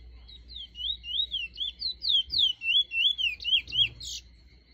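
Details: Trinidad bullfinch singing its "Teacher" style song: a rapid, steady run of about twelve slurred, looping whistled notes, each sweeping up and down, ending with a brief buzzy note; faint low hum behind.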